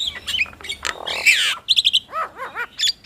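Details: Nias hill mynas in a duet used as a lure for other mynas: a burst of harsh notes, then a rapid trill of four high chirps and several arched whistles.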